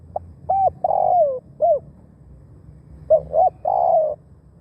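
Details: Spotted dove calling as a decoy for wild doves. It repeats a phrase twice: quick hooked coos, then a long, slightly wavering croo that slides downward, with quiet gaps between.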